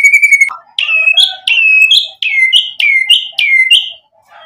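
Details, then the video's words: Lure song of a white-rumped shama (murai batu) packed with varied filler material: a level clear whistle, then a run of repeated downward-slurred two-part phrases at a steady pace. "MURAI BATU GACOR buat PANCINGAN agar BUNYI NYAUT emosi BONGKAR MATERI ISIAN | SHAMA BIRD"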